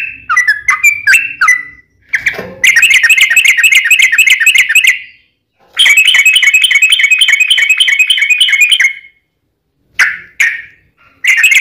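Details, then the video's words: Sooty-headed bulbul fighting song with long trills, used to lure bulbuls into singing; a few chirps, then two long runs of very fast, buzzy repeated notes, each several seconds long, then short chirps. "KICAU SUARA trucukan gacor TARUNG ROPEL PANJANG"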